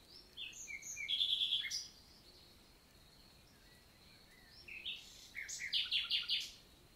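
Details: Nightingale song in a French countryside forest, summer morning, 11 June 2023: two separate bursts of high chirps and rattled notes with a quiet pause between, a faint high tone running underneath.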